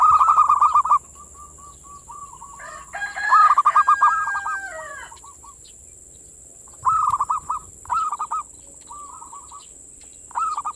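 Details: Zebra dove manggung song played as a lure to rouse local zebra doves: bursts of rapid, rolling mid-pitched coos in short phrases with pauses, a louder harsh burst near the middle, and a steady high background hum.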